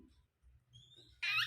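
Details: Pet cockatiel, acting possessive toward wild birds: a faint thin whistle, then a sudden loud, harsh, raspy screech near the end, over a low background hum.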